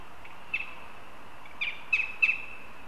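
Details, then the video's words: Northern goshawks in Riga, Latvia, filmed on a live camera on 22 September, chatting: brief high squeaky notes, first singly, then in quick pairs and threes, over a steady background hum. "Goshawks Riga/BKUS 🍂 22. September °Plaudereien"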